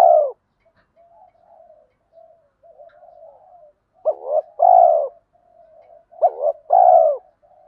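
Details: Spotted doves of both sexes calling to stimulate training birds. Soft, low murmured cooing runs underneath two louder pairs of clipped notes, each followed by a long burred coo.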